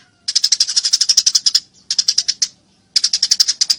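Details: Rapid, ringing chirp series from fighting Eurasian tree sparrows, three bursts of a dozen or more quick high notes each, with clear pauses between them.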